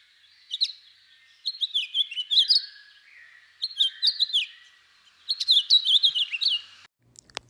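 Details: House finch call: three bright, warbling bursts of quick, slurred, high chirps about two seconds apart, ending with a faint click; common year-round bird, males red-headed and red-breasted, originally western US, introduced in the East.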